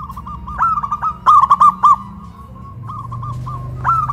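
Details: Zebra doves, a local big-voiced bird against a crystal-voiced one, cooing from cages raised on a pole in West Java; a loud cluster of short coos sits between fainter, drawn-out cooing phrases.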